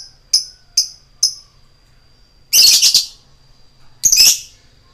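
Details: Caged-style lure recording of a lovebird in 'ngetik koek' style, meant to provoke other lovebirds to sing: three quick sharp ticking chirps, then two long, rasping, shrill squawks with a faint steady high hum between.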